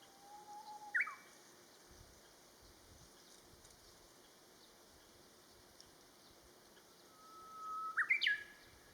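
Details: Song of the Japanese bush warbler: a low held whistle ending in a sharp upward flick near the start, then a long quiet gap, then a second held whistle and bright flourish near the end.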